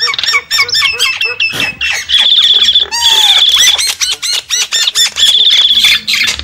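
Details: Javan myna lure call: clicking and harsh notes in quick succession, broken by long steady high buzzing trills, with a falling squeal near the middle and short repeated low pips at the start.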